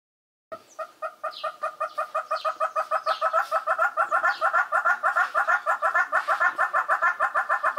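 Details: Ground hornbill chick at Skukuza, Kruger National Park, calling for its parents: a steady run of short, pulsed, two-toned hoots, about three a second, starting soft and building louder throughout.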